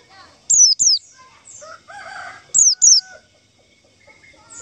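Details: White-eye lure call used to attract white-eyes for trapping: loud high paired notes, each sharply falling, given in two pairs, with faint chatter and other soft bird sounds between.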